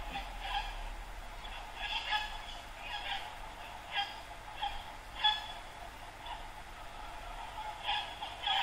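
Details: Flocks of white cockatoos greet a colourful sunrise on the Brisbane River bank in Yeronga, Queensland, Australia, at dawn twilight. Scattered, fairly distant harsh squawks come every second or two from several birds over a low steady hum.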